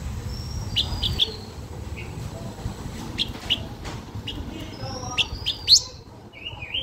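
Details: Blue-winged minla singing a lure song to draw in other birds: thin, high whistled notes, some drawn out and level, others short and sharp, scattered with brief chirps over a low background rumble.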